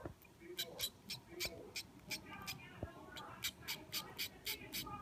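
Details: Two hand-fed zebra finch chicks, aged 3 and 4 days, give rapid, thin, high-pitched begging squeaks, several each second.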